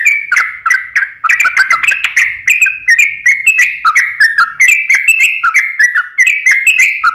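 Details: Continuous, rich warbling from a yellow-vented bulbul in full song, meant as a lure for birds reluctant to sing: fast strings of bubbly, fluty notes rising and falling with no real breaks.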